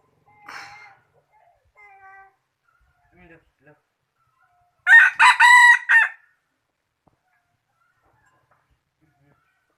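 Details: Rooster crowing, billed as one of the best crowing cocks of 2021: a single loud, harsh, strongly harmonic crow of about one second, preceded by a few faint short calls, then silence.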